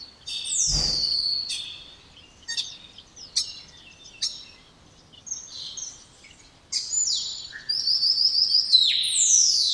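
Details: Varied spotless starling song of clicks, short chirps and buzzy fragments, building to strained, overlapping high whistles; one low thud early on.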